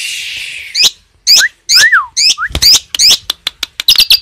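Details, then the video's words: Asian pied starling song with cililin-style fill: varied loud whistled notes, some sweeping down sharply, others short sharp clicks, delivered in an uneven sequence that quickens into a run of crisp chips toward the end. "JALAK SUREN TEMBAKAN ISIAN CILILIN"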